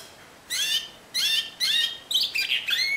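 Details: Timbrado canary, discontinuous song style: three separate short bursts of bright chirping notes, then a denser, more jumbled rolling phrase at the end.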